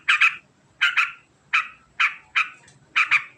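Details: Fast 'ngekek' chattering of a yellow-vented bulbul, locally trucukan: six harsh, gravelly bursts, some doubled, at uneven half-second gaps, clear and close with a quiet background.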